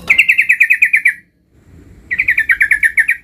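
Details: Young sooty-headed bulbul learning the ngerol rolling song delivers long rolled runs of about eleven quick, ringing, evenly spaced notes. A brief silent pause splits the runs, with soft background noise.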